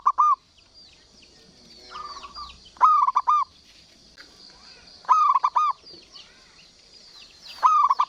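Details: Local zebra dove singing actively: stuttering, mellow cooing phrases of quick repeated notes, about four bursts spaced a couple of seconds apart, with thin high calls from other birds in the background.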